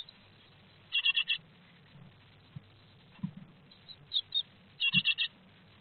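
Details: Great tits at a nest box in Théding on 3 July 2023, during the first fledging of a second brood: bursts of four quick, harsh chattering notes near the start and end, a couple of sharp high notes between them, with low thumps and rustling.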